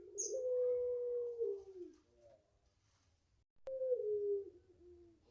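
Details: Five-month-old pelung Barbary dove giving its long voice: a smooth, level coo held over a second before tailing downward, a quiet interval and a sharp click, then a shorter falling coo.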